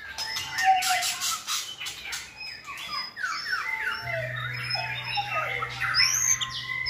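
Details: Tutor white-rumped shamas singing to teach a chosen shama a richer song; overlapping whistled phrases, falling slurred notes and scratchy chatter, fairly continuous, with a low steady hum in the background.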